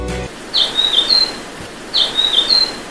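Grey-headed canary-flycatcher giving two high, thin whistled phrases about a second and a half apart, each of three or four quick sweet notes; a brief low tone opens.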